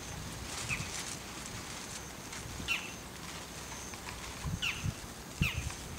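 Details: Bull-headed shrike perched on an antenna and wet with rain, giving an unusual high-pitched call (takanaki): four or five sharp, harsh notes with quick downward tails, spaced irregularly about a second apart, over steady rain patter.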